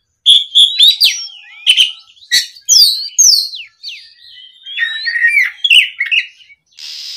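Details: Oriental magpie-robin singing to provoke a rival, delivering a long sequence of varied whistles, sharp downslurred notes and rasping chatter, ending in a hissy burst.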